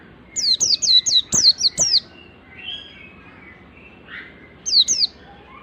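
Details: Oriental white-eye singing, used as a lure to train other white-eyes: a fast run of about seven high, sharply descending whistled notes, a pause with faint softer sounds, then two more descending notes near the end.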